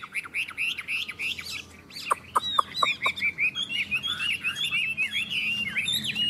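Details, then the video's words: Chinese hwameis singing in a contest: short repeated whistled notes, a few sharp clicks, then an unbroken stream of quick, bright warbling phrases. "Họa mi hót đấu"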